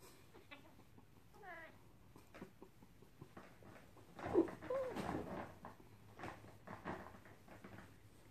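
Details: Yellow-bibbed lory (Lorius chlorocercus) from the Solomon Islands giving a few wavering, nasal calls, then several harsh, rasping squawks at irregular intervals over faint background noise.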